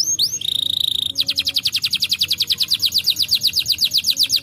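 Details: Brown canary song for stimulating lazy canaries to sing, opening with a rising sweep and a steady held whistle, then breaking into a long fast trill of rapid repeated notes.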